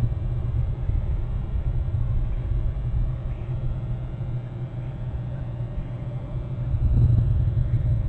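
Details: A continuous low rumble like wind or distant traffic fills the recording, with a brief muffled bump near the end. No animal calls stand out.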